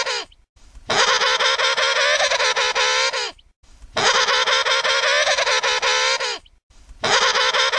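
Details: An emperor penguin (Aptenodytes forsteri) gives loud, harmonically rich trumpeting calls, each about two and a half seconds long with a pulsing, warbling quality, repeated after brief pauses.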